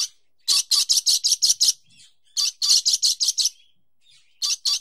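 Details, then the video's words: Dusky lory giving harsh, high screeching notes in rapid bursts of six or seven, each burst lasting about a second, with short pauses between. "Dusky Lory sound effect"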